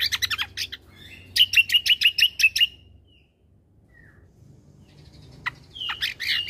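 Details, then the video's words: Cucak kombo singing as a tutor for caged birds: quick chirp bursts, then a brisk series of sharp whistled notes, a quiet pause, and renewed high, scratchy chirping at the end. "Cucak Kombo Gacor Untuk Masteran Burung"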